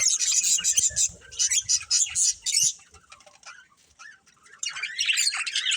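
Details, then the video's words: A breeding pair of budgerigars chatters in quick high chirps for about three seconds, falls almost silent, then resumes with scratchy warbling; faint low taps heard. "Cute Budgies Chirping Sounds | Love Birds Breeding Pair"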